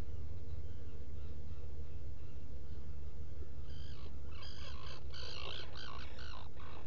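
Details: Black Guillemot at its nest burrow on Seal Island NWR, Maine, early on 18 June 2018. After quiet low rumble, a burst of rich, harmonic, reedy piping notes repeats rapidly and grows louder through the second half.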